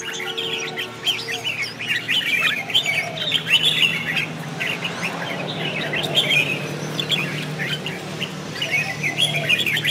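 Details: Red-whiskered bulbul singing in competition style while displaying with spread wings, a recording meant to train and stir other bulbuls to sing; lively chirpy warbled phrases run without pause throughout, with a faint low hum beneath.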